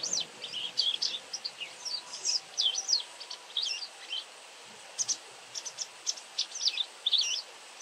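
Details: Continuous high twittering from a White wagtail that calls a lot: dense, sharp, slurred chirps repeating almost without pause, with a brief gap midway, over mild background hiss.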